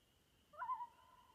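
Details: Common loon on an Adirondack lake giving one short wailing note that swoops up and levels into a steady tone, with a faint high insect drone throughout.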